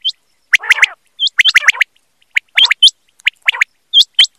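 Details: Quail calling, recorded for quail hunting: quick sharp notes with rising hooked starts repeat in rapid groups, preceded by a raspy burst, and no background noise.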